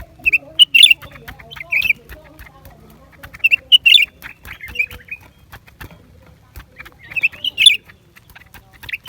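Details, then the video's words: Lesser green leafbird song in irregular phrases: clear chirps and tumbling twitters repeated about every few seconds, punctuated by faint clicks and a quiet low hum in the background. "เสียงนกเขียวกลาง ปีกสีฟ้า suara cucak ranting"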